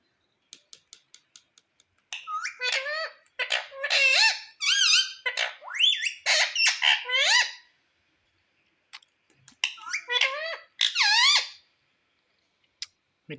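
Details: Pet Indian ringneck parrot at home, a run of faint clicks followed by dense bursts of harsh, rising and falling squawks, some looping up and down in pitch, then a pause and a second burst of sharp, buzzy calls indoors.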